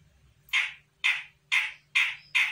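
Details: Grey-cheeked bulbul from Sumatra, a young untrained bird, responding to a lure call with five hoarse, scratchy squawks spaced about half a second apart over a soft low hum.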